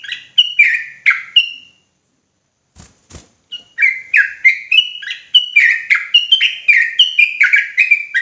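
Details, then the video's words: Sooty-headed bulbul in agitated, insistent song: loud bubbling whistled notes dropping in pitch, repeated in quick bursts, a short pause with faint taps, then a fast steady run of similar phrases. "Trucukan gacor ROPELAN NGOTOT EMOSI !!!"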